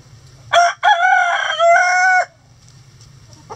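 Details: Rooster crowing in a chicken coop while hens scratch nearby: a short sharp opening note, then a long, harmonic-rich, held cry with a slight break, about two seconds in all, over a low steady hum.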